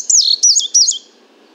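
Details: Indigo bunting singing, recorded from 50 feet away with a parabolic microphone: a quick phrase of high, sharp paired notes sweeping down, delivered in three bursts in about one second, against a faint low background hiss.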